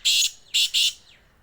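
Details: Black francolin calling in Sindh, Pakistan: three loud harsh grating notes, the first held, then a quick pair after a short gap, all within about one second.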